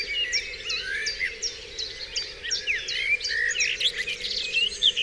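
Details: Birds singing at dawn on Dewlands Common, a busy stream of quick high chirps and short whistles, several voices overlapping without pause.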